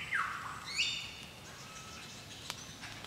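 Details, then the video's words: A wild lyrebird on the Illawarra Escarpment, NSW, sings in light rain in late August 2018 after drought: a loud whistle sweeping steeply downward, then a quick rising, ringing note, with a soft hiss of rain and a single sharp click. "Lyrebird Singing in the Rain"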